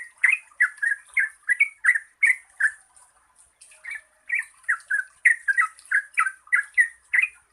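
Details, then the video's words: A yellow-vented bulbul (Pycnonotus goiavier), locally called trucuk, sings quick bubbling, gurgling notes in bursts of about three per second, with a brief pause midway, over a faint high hiss. It is a long, lively song meant to prompt quiet trucuks to sing. "Pancingan Trucukan Gacor Ropel Panjang"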